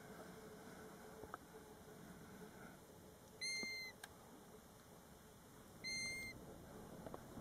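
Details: European golden plover at its roadside nest site in Båtsfjord, taped from a parked car; two pure, flat whistles spaced about two and a half seconds apart over faint background hiss.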